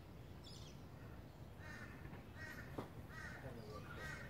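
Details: A rainbow lorikeet in south east Queensland, Australia, with scratchy, raspy squawks repeated about every half second, rather faint against a constant low background rumble.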